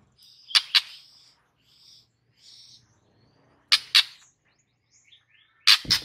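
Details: White-rumped shama song used as a master recording to get a silent bird singing: loud harsh double bursts alternating with soft, high whistled phrases, separated by short pauses, with quiet surroundings.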